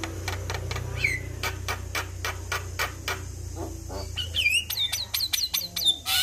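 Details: Male Javan myna singing on a master recording for prompting captive mynas: rapid clicking and rattling chatter, then sharp whistled notes that swoop downward, with a low steady hum underneath.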